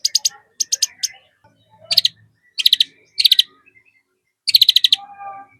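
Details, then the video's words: Male white-rumped shama (murai batu) in full, active song filled with mimicked phrases, played as a lure to get other shamas singing: short bursts of rapid, high, sharp chirping notes in quick series, separated by brief pauses. "MURAI BATU GACOR ISIAN"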